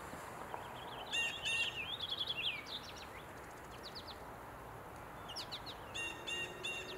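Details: Purple Finch singing at Cornell Arboretum on 16 April 2020: two bright, rapid warbling phrases of tumbling high notes, one early and one near the end, over a steady hiss of outdoor background noise.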